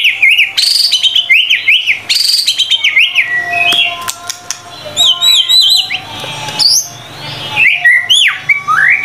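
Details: Energetic White-rumped shama song of varied whistles: looping up-and-down phrases, rapid chip series and sliding notes follow one another almost without a break, with a soft background hum.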